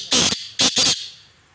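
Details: A kept black francolin (kala teetar) giving its chakri call: three harsh, grating notes in quick succession, a longer first note then two clipped ones, all within a second.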